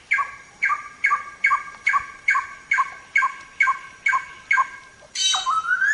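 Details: Samyong training song for songbirds: a steady series of nine ringing, harsh double-toned notes, roughly two per second, ending in a buzzy burst and a rising whistle.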